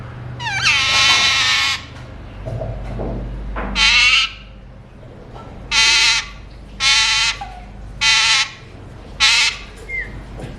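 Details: Alexandrine parakeet giving loud harsh rasping screeches, each about half to one second long, repeated about once a second in the second half, with a short whistle near the close.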